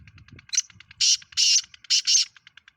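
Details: Kala Teetar, the black francolin of Pakistan kept in the hobby, calls a grating phrase: a short clipped note, then four loud buzzy rasps in two pairs, with soft ticking and low murmurs around them.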